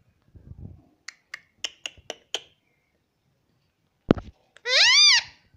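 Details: Pet rose-ringed parakeet (Psittacula krameri) talking, trained to say "mummy": one harsh, nasal, rising-then-falling word-like syllable at the end, after a run of sharp finger snaps and a soft human murmur.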